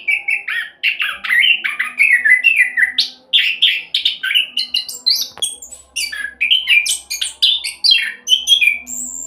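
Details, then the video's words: Fast 'roll speed' song of an orange-headed thrush, played as a lure so other birds start singing: long unbroken run of quick, varied warbling notes, mostly mid-high, with a single click midway and a soft steady hum. "Anis Kembang Roll Cocok buat Pancingan agar cepat bunyi"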